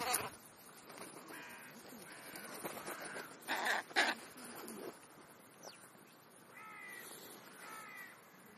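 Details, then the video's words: Crows calling while feeding: scattered harsh caws, loudest a pair of short rasping notes near the middle, with fainter nasal calls toward the end over soft background noise. "Krähenbrunch /crow`s brunch"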